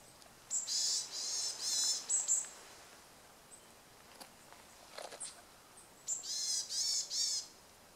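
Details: Varied tit giving contact calls in Tokyo, Japan, on 6 January 2013, around bathing and preening: high, thin, buzzy notes in two bursts of four to five drawn-out calls, with a short quiet gap between them and a few soft clicks.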